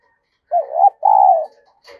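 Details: Spotted dove decoy bird cooing, a call used to excite and train other doves. A short wavering low coo runs straight into a longer, steady hollow note, the whole phrase lasting about one second. A faint higher chirp follows against an otherwise silent background.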